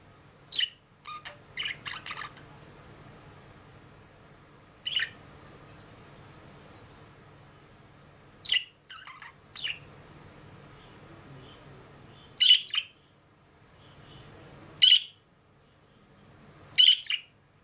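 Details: A pet budgerigar gives short, sharp chirps between quiet pauses indoors.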